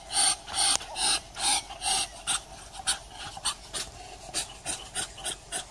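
A Muscovy duck gives breathy, raspy hisses, about two or three a second, in an uneven panting rhythm with no other sounds.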